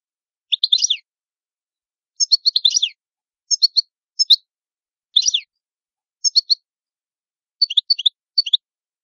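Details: Italian European goldfinch giving short clipped bursts of high twittering notes, each lasting under half a second and repeated about every second, separated by silence.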